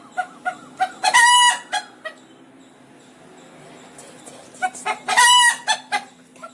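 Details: Pet rooster alarmed and calling out: clucks leading into a harsh, prolonged squawk, a quieter gap of low murmuring, then another burst of clucks and a second loud squawk.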